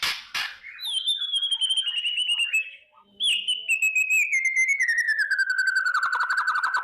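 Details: White-rumped shama in morning song used as a lure to rouse fighting mood: a long whistled note sliding slowly downward, overlaid with rapid buzzy pulses, repeated twice after a few sharp clicks.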